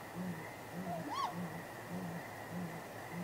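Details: At night on 23 April, a great grey owl pair at the nest trades contact calls: a single higher arched wail over faint, low, soft hoots repeated about every half second, with a constant background hum.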